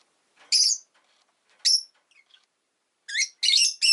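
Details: Pet Rosy-faced lovebird calling in short shrill bursts: two sharp chirps about a second apart, faint ticks, then a quick cluster of three loud screechy notes.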